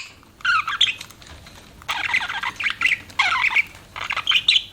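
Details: Pet budgerigars chirping: bursts of dense, scratchy chatter and squawky warbling notes, several rapid phrases separated by short pauses, with a faint low background hum.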